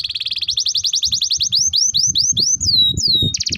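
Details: Canary singing a long, lively song used as a lure and tutor for young canaries: a fast chattering trill, then a run of rising whistled sweeps, falling slurred notes and a closing rapid buzzy trill.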